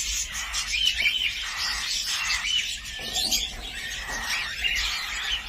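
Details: Cockatiels giving a dense, continuous chatter of overlapping bright chirps and short whistled notes, several birds calling at once with no pauses across the stretch.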